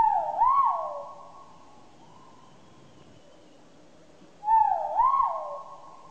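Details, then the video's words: Great argus, a call said to carry tens of kilometres: two loud whistled calls about four seconds apart, each a short dipping note then a rising-falling note, trailing into a long echoing tail over quiet background. "suara merdu burung kuau raja 1000 mata | suaranya bisa terdengar hingga puluhan kilometer"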